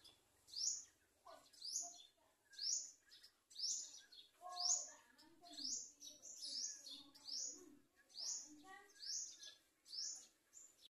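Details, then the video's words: Garden sunbird bringing food to its young while locusts threaten the chick; high, sharp rising chirps repeat roughly once a second, over softer, lower chattering notes and twitters. "Garden sun bird Food to feed the baby"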